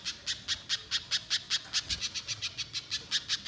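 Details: Spiderhunter used as a singing lure: a steady, continuous run of loud, sharp, high chips, roughly five per second, throughout with no break.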